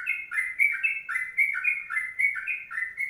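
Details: Sooty-headed bulbul giving loud, fluty, slurred notes in quick paired phrases, the long 'kongslet' song in continuous 'ropelan' style, with no other sounds.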